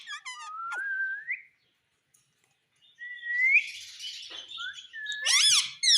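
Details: Pet Indian ringneck parakeet from India, known for saying mummy and papa, giving long upward-sliding whistles separated by a pause, with a raspy chatter and a harsh squawk at the end.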